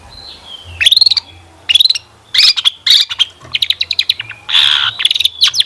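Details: Long-tailed shrike song used as a lure to draw replies, heard as loud separated bursts of rapid chips and rasps with short quiet gaps between them.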